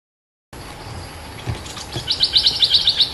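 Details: Cream-vented bulbul lure recording played to draw in a territorial resident bird; after quiet hiss, a quick run of about ten bright, evenly spaced chattering notes over roughly one second.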